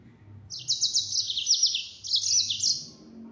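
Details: Yellow-fronted canary (burung mozambik) singing in the rapid 'gacor nembak' full-speed style: two fast bursts of high, buzzy trills and sharp chirps, densely packed notes with a brief pause between phrases.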